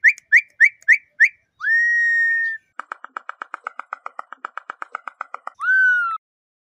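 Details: Campo troupial (corrupião) in Brazil, whistled song style: five quick rising whistles, a long flat whistle, a rapid buzzy rattle, then a final falling whistle.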